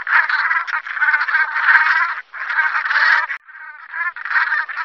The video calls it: Cri, Chant de la Bernache cravant